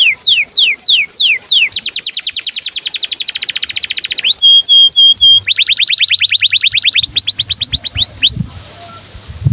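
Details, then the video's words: Canary in breeding condition with long-duration song, meant to coax and train young canaries: falling whistled sweeps, a sustained fast trill, a steady held pulsing tone, then more trills and upward-curving notes before fading to quiet hum. "KENARI GACOR DURASI PANJANG Cuit CUIT BIRAHI UNTUK PANCINGAN & MASTERAN Kenari PAUD AGAR BUNYI"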